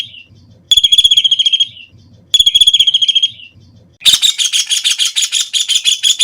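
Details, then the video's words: White-throated kingfisher (Halcyon smyrnensis) giving loud, shrill, rapidly pulsed whinnying trills, about a second long and dropping at the end, twice, then a harsher chattering burst. "Tiếng chim Sả Đầu Nâu(Bói Cá) | The sound of the bird Halcyon smyrnensis"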